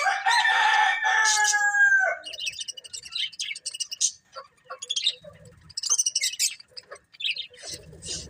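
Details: Colourful budgies: a loud, drawn-out nasal screech opens, then gives way to rapid bursts of thin, high chirps and clicking chatter in uneven spurts.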